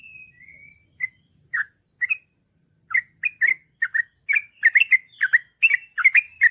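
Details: Sooty-headed bulbul in long chattering song, opening with faint drawn-out whistles, then bubbly double-noted phrases that grow quicker and denser toward the end.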